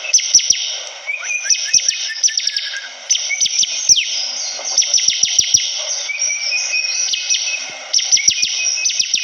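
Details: Energetic Bar-winged prinia song, with rapid, dense bursts of high, sharp descending chips running almost continuously, a short lower warble near the start, and a constant bright hiss behind.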